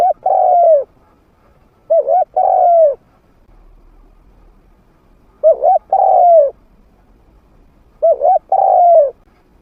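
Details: A trained spotted dove with a medium-pitched voice, played to lure wild doves in to fight. It gives four cooing phrases about two seconds apart. Each phrase has a quick doubled note and a long coo that falls at the end.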